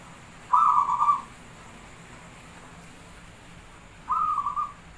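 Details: Javanese zebra dove singing: two low, mellow cooing phrases, each a quick run of rolling beats near the same pitch, separated by about three seconds of quiet with a faint steady hiss.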